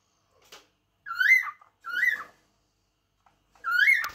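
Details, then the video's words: Three drawn-out cockatiel whistles, each swelling upward and then sliding down, separated by about a second, with faint softer notes and a light knock at the end. "تغريد طائر الكوكتيل"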